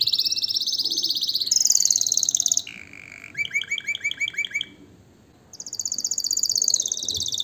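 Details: Canary song intended to encourage mating and tutor chicks: bright rapid high trills, a short lower buzzy phrase, a bouncing series of clear chip notes, a brief pause, then the fast high trill resumes.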